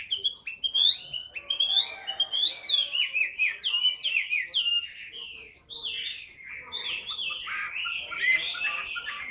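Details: Chinese hwamei, tame and caged, large-bodied and a frequent singer, repeats sharp rising whistles about every half second, each tipped with a high downswept note, then flows into a continuous warbled, jumbled whistling.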